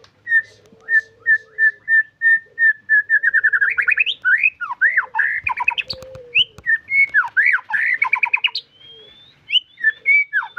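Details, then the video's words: White-rumped shama song from a caged bird: a steady series of repeated whistled notes speeding up, then rich varied warbling with swooping, looping phrases and chattering trills, over a faint low hum. "Murai Gacor Full Durasi"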